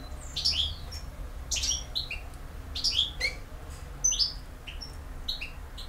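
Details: European goldfinch in campero song: bursts of bright chirps and falling whistled notes repeated roughly every second and a half, separated by brief gaps, against a faint low hum.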